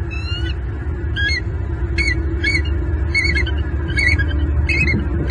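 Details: Bald eagles in Southwest Florida on the nest in the morning while bringing fluff and sticks: repeated high, thin, chattering bursts about once a second over steady low hum and wind-like noise.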